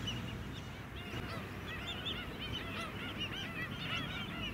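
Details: A busy White-headed stilt flock on mudflats at Scarborough, Queensland, in July, giving a dense chorus of rapid, overlapping, arched yelping notes, with low background rumble.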